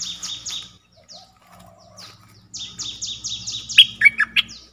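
Streak-eared bulbul giving quick runs of high, sharply down-slurred chirps, about four a second, ending in a few louder, sharper notes.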